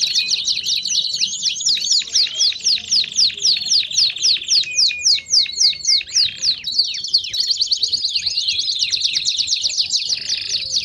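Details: Fast, continuous canary song of the 'baderna' type, used to excite other caged canaries: quick high ticking notes, a short level whistle near the middle, then looping slurred phrases and a rapid buzzy trill.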